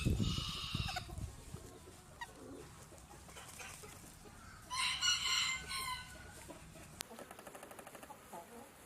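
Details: Rooster crowing in the morning: two short, harsh, bright crows, one at the start and another midway, then a rapid, even run of clucking notes near the end.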